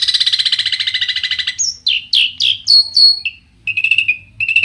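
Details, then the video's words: Long-tailed shrike (cendet) in energetic, varied song meant to provoke other shrikes into answering. A fast buzzy trill gives way to sharp, sweeping chirps and bright whistled notes, then repeated rasping phrases. "cendet gacor Variasi BIANGNYA bikin cendet lain emosi ikutan bunyi langsung NYAUT"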